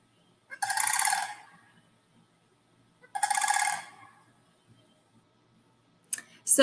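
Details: A pair of sandhill cranes dancing and displaying in a small wetland in spring give two loud, rolling, rattly, dinosaur-like croaks, each about a second long and some two and a half seconds apart; a sharp click ends it.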